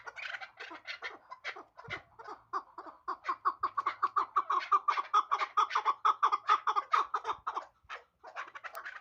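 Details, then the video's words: Hybrid chukar partridge calling: a long rapid series of harsh, clucking chuk notes repeated about twice a second, building into a steady rhythmic run, recorded close up with little background noise. "Кабки Гибрид"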